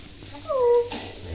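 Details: Pet hill myna mimicking a spoken greeting: a single clear, smooth, voice-like tone that swells and glides slightly downward for about half a second, ending in a soft breathy noise, with low room hum behind.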